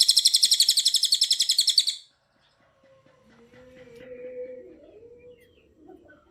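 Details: Fast, tightly packed trill of shrill notes from a cililin for about two seconds, then quiet with a faint low hum and distant sounds. Recorded to train other birds.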